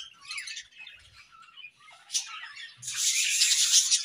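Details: Budgerigar pair in an aviary during the morning: quiet, thin chirps and twittering notes, then a sudden loud, dense burst of high scratchy chatter in the last second.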